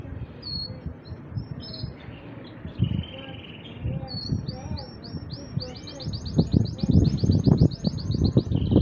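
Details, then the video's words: Two male canaries singing in turn without stopping: thin high whistles, then a long fast rattling trill late on, set against a constant low rumbling background noise. "Два кенара поют по очереди, без остановки."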